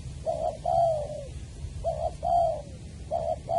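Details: Spotted dove in Trà Vinh's Long Đức area, on 23 January 2020 during trapping with a decoy bird: a short note followed by a longer, drawn-out, slightly falling coo, the pair repeated three times over faint background hum.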